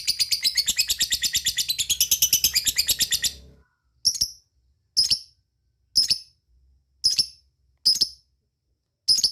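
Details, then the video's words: Lovebird calling companions: a fast harsh cackling burst for about three seconds, then silence broken by single loud sharp chips roughly once a second. "Cik cik cik cer,suara lovebird ngetik ngekek dan memanggil kawan"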